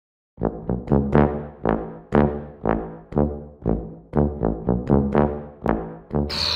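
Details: Low, brassy horn-like notes swell and fade about twice a second, like music from a brass instrument, with no animal voice.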